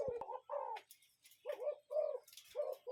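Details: Cuckoo calling in nature, with rapid low two-part hooting notes repeated in quick pairs, each dipping slightly in pitch, separated by short pauses. Faint higher chirps sound in the background.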